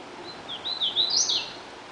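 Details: Male Hooded Warbler singing on territory in Francis Marion National Forest, South Carolina: a quick run of clear, slurred whistled notes that rise and fall, ending in a brighter, emphatic flourish over faint background hiss.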